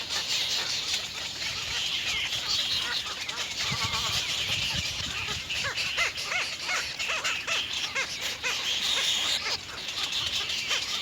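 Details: Three little egret chicks begging their mother for food at a nest, the third nest filmed; harsh, arched calls repeated rapidly in bursts, strongest in the second half, over a steady high insect-like buzzing drone.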